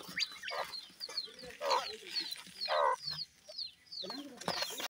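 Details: Irani partridge chicks feeding: high thin peeps slide downward in short series, broken by louder burred chirps roughly once a second and light clicking.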